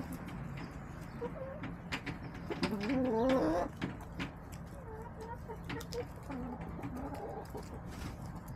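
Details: Backyard hens on a March day, sunbathing and eating leftover salad, give a string of short, nasal, wavering clucks, some rising and falling, spaced irregularly across a steady low background hum.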